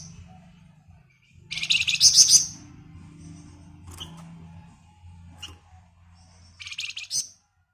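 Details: Flamboyan 'ngebren' chatter used as a lure: one strong burst of rapid shrill notes, then scattered faint clicks and a softer second burst, over a steady low hum.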